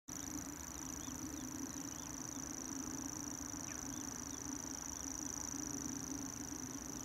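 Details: Grasshopper warbler singing near the academy pools at Whitbun, Sunderland: an unbroken, high, even, insect-like reeling trill that runs through the whole stretch, over a steady low rumble of distant traffic and a few faint bird calls.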